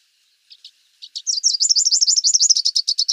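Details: Rufous-capped warbler song: a few soft, separate high chips, then a fast, loud run of slurred, looping notes repeated about six times a second, high-pitched and bright, in a quiet setting.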